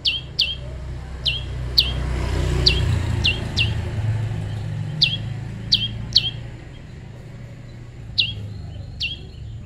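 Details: Prinia during natural pairing: sharp, high chirps dropping quickly in pitch, given singly and in quick pairs about thirteen times, over the steady low rumble of a passing vehicle.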